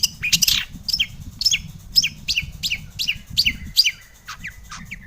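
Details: Lure song of a long-tailed shrike, meant to provoke other shrikes into answering: a series of clear, sharply down-slurred whistled notes repeated about twice per second, ending in softer slurs, with low background rumble.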